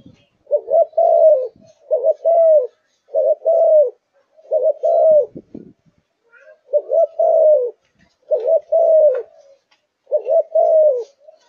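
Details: Spotted dove of Malaysian stock, kept and shown in top singing form, said to sing from morning to night: mellow low cooing phrases, each of two or three notes, repeated in groups of about one per second with short pauses between bursts.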